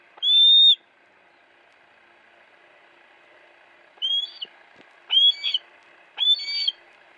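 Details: Captive female hawk kept at a friend's house, recorded on a Sony Cyber-shot DSC-HX30V: one loud high whistled cry, then after a pause three shorter, harsher screeching calls about a second apart.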